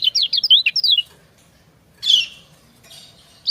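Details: Female white-eye (kecial) answering a male: a rapid run of high thin sliding notes in the first second, then a single harsh buzzy chirp and a short faint call after a pause.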